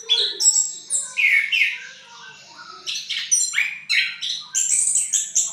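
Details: Vigorous gacor singing from an orange-headed thrush (punglor merah) in ngriwik style: tumbling chirps, downward slurs and high squeaky notes, a quieter gap near the middle, then rising twitters.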